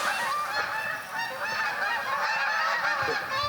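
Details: A flock of migrating Canada geese (Branta canadensis) at MacGregor Point Provincial Park, Ontario, in late fall or early winter, heard in the morning while heading south: loud, nasal, overlapping honks, several each second, in a continuous clamoring chorus.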